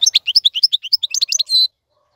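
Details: Short goldfinch tutor phrase for young birds: string of fast, sweet chirps ending in a drawn-out buzzy note.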